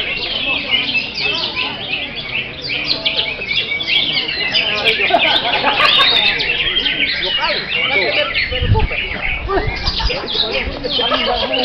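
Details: Greater green leafbird in full action, pouring out a dense, continuous song of rapid varied chirps, trills and slurred whistles with no pauses, plus a brief low thump partway through.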